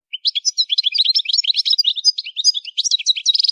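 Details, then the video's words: Goldfinch song used for song training: a fast, unbroken twitter of high chirps and short trills running for the whole clip, with notes jumping up and down in quick succession. "Song Goldfinch Training"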